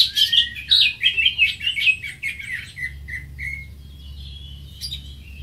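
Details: Greater green leafbird pouring out a fast, tumbling warble of mixed whistles. The phrase slows into a few falling notes, then goes quiet apart from a faint hum.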